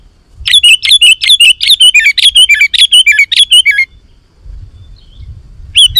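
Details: Sooty-headed bulbul in full vigorous song, used as a lure for wild bulbuls: a fast run of about a dozen sharp chirped notes lasting over three seconds, a pause, then one more note.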